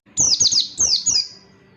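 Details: Oriental white-eye (pleci) song meant as training material for birds slow to sing: a brief run of five high, shrill, falling chirps, bright and tightly spaced, fading into quiet.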